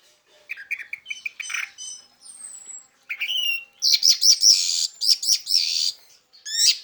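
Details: Song of an orange-headed thrush, used to draw in other orange-headed thrushes: a series of rising chirps and whistles leading into loud, dense, harsh trilled bursts repeated several times.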